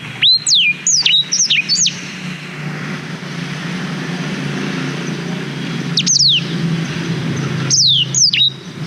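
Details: Song of a black-throated canary, captured with a GoPro Hero 5 as training material for canaries: a quick string of high, downslurred whistles, a long quiet gap with steady low rumble, then two brief bursts of falling notes.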